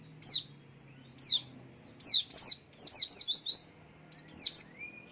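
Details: Swaying white-eye singing to lure other white-eyes to join in; sharp falling high tweets, first spaced singly, then a rapid string of five or six, ending with a pair and a faint rising whistle.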